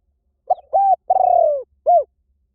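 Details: Spotted dove lure call said to draw wild doves in quickly in any forest: one clear cooing phrase, a short note, a steady coo, a long slurred descending purr, then a short arched closing coo, in silence.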